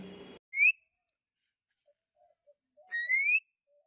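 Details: Common myna in a village, said to be talking. Two clear rising whistles, the second longer and sliding upward, are separated by quiet faint notes, with a short burst of noise at the start.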